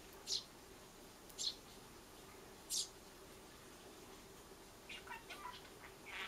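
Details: Begging Eurasian tree sparrow nestling asking for food and also pecking food on its own; three brief, high, squeaky chirps in the first three seconds, then softer scattered chirps.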